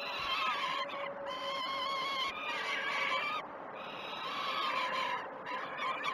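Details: Begging from peregrine falcon chicks being fed at the Great Spirit Bluff nest on 12 June 2018: loud, buzzy, wavering screams, several sustained notes running almost without break, over steady hum.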